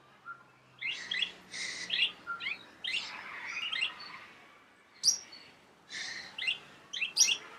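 A palm cockatoo gives bursts of harsh, chirping notes in uneven clusters, with short pauses between phrases and a low hum underneath.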